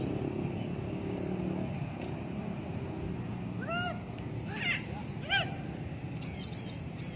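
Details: Free-flying blue-backed parrot heard over a constant low engine rumble; after a quiet start, a few harsh, bending squawks arrive in pairs, followed by a quick burst of sharp calls near the end.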